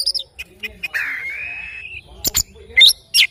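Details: Oriental magpie-robin in the morning: soft chips lead into a long, steady whistled note, followed by a sharp click and loud, abrupt chirped phrases.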